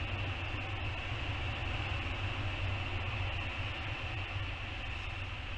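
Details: Steady droning roar like a passing train or engine, with a constant low hum and broad hiss, and no animal calls.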